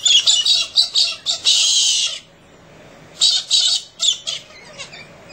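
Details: Galahs in central Australia in the early morning, screaming and mucking around: harsh screeches, a run of grating squawks into a long rasping scream, then after a brief pause a volley of shorter, choppy shrieks.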